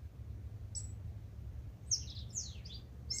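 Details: Before sunrise in Manawatu, New Zealand, a waking tūī gives a few thin, very high notes, some sliding steeply downward, against a low steady hum.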